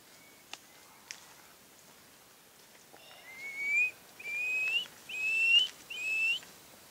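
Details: Black-fronted piping guan giving a series of four thin, rising whistles, each lasting about half a second and repeated roughly every eight-tenths of a second, after two faint clicks and a quiet pause.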